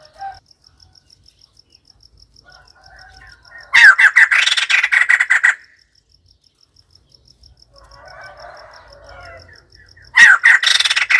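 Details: Loud, dense bursts of harsh laughing chatter from a white-crested laughingthrush, separated by quieter stretches of soft calls, with a faint steady ticking in the background.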